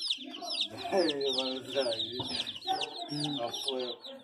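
Chicks give a steady stream of high, thin peeps, many overlapping and slightly falling in pitch, while a person talks over them throughout.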